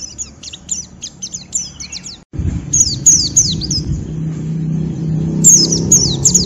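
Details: Coarse ngeriwik from a white-eye urging a rival to sing: bursts of very high, sharp downslurred chirps repeated in quick runs, a brief silent break, then more chirp bursts over a low rumbling background.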